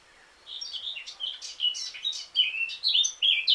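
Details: Eurasian blackcap singing a busy, fast warble of sweet fluty notes and squeaky slurs, getting louder toward the end, over a faint background hiss.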